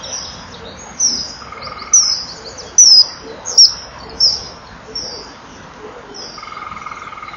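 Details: A male common kingfisher flies past the nest bank at 18:06 on 21 April 2012 as the female enters the burrow. He gives a series of shrill, high, brief and sharply pitched whistled calls.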